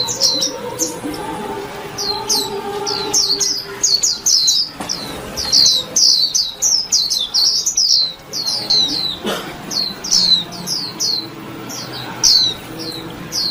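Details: Busy, high-pitched chirping from a white-eye: many quick downslurred notes in dense runs, with soft tonal humming in the background early on.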